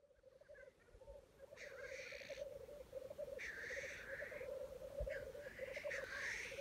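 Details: Black grouse at a lek in Wales, early 2020: a continuous low, bubbling, dove-like rookooing runs throughout, broken by three harsh, hissing sneezes; audio recorded separately from the footage.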